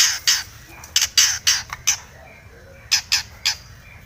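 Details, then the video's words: Long-tailed shrike singing aggressively as if seeking a rival, used to provoke other shrikes: short harsh rasping notes in quick bursts, a pause, then three more scratchy calls. "cendet gacor MENCARI LAWAN"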